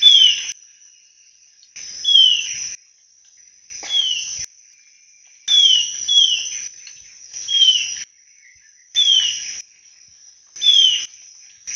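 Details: Alagoas antwren (Myrmotherula snowi), a critically endangered antbird, giving short, high song phrases about every two seconds, each a quick downslurred whistle over a buzzy hiss, with a thin insect drone behind.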